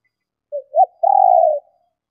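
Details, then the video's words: Female spotted dove cooing to stimulate males: a soft low note, a quick rising-falling coo, then a long purring, trembling note of about half a second in a quiet setting. "Tiếng Chim Cu Gáy Mái Kích Bổi Nhanh Gáy"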